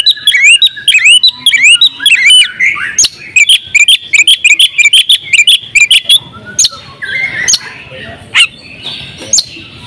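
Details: Champion oriental magpie-robin singing ngobra style with full imitations: quick rising whistles and chips tumble out for about six seconds, then the phrases thin to scattered fainter notes and clicks.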